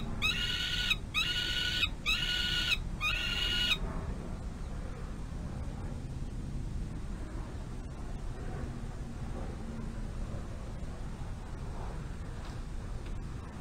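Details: Young peregrine falcon at the tail end of a feeding beside the nest box, May 25 2022. Four loud, grating screams come in quick succession, followed by a long near-quiet stretch.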